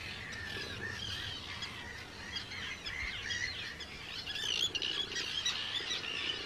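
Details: Chorus of Arctic terns at a big breeding colony, Rottumerplaat, Netherlands, on 4 June 2023, with hundreds of birds present: many grating, high calls overlap throughout and grow a little louder toward the end.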